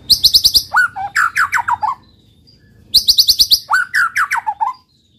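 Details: White-rumped shama singing to provoke rival males: a very rapid high trill followed by a tumbling series of descending whistled notes, the whole phrase given twice with a pause between.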